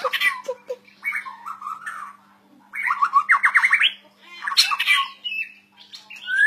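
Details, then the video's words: White-rumped shama song mixing harsh scratchy notes, short rising trills and rich whistled phrases, with brief pauses between bursts and a low hum beneath. "murai batu gacor owor owor"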